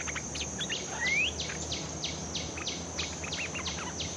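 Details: Newly caught bulbul in training, used as a lure bird: quick bursts of short chirped notes and one clear rising whistle, over a steady high insect drone and a run of repeated downward swishing sweeps.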